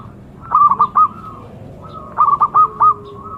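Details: Zebra dove giving two matching phrases: a soft lead-in note, then a quick stuttering trill and two or three separate rounded coos, about a second and a half apart.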